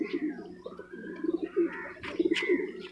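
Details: Bangladeshi Jiragola giribaz (high-flying) domestic pigeon: low, soft, rolling coos in short bursts about every half second, with thin higher chirps from other small birds mixed in.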